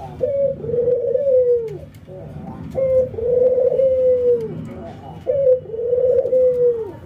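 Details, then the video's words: Ringneck doves, an albino white and a local bird, in routine training with nodding and laughing; three evenly spaced phrases, short bright note then rolling drawn-out coo falling away, with faint background taps. "puter putih albino versus puter lokal ngangguk dan tertawa"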